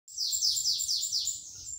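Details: Bananaquit (sibite) singing in the 'batidas de pitiú' style: a high, thin, buzzy phrase of five rapid descending slurred notes, repeated in quick succession with a faint low rumble underneath.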